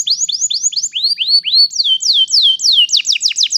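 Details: Canary song used to teach young canaries to sing: a long rolling series of clear whistled notes, each sweeping downward, repeated about three times a second, shifting into faster, higher slurred phrases and a quick trill near the end.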